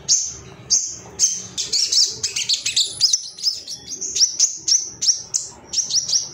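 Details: Ruby-cheeked sunbird male, agitated and looking for rivals, mixing high sharp chips with a brief burst of fast twittering trills, then returning to evenly spaced piercing notes roughly twice a second.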